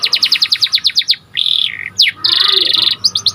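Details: Panda canary, a white caged bird, sings a bright song used as training master audio: rapid repeated chirps, then a buzzy sustained trill, a quick downward sweep and another dense trill.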